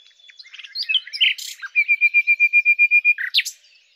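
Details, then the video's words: Common nightingale (Luscinia megarhynchos) song with mixed chirps and a brief buzz leading into a steady series of about fourteen identical clear notes, closed by a sharp upward-sweeping note. "#Common_Nightingale (Luscinia megarhynchos)"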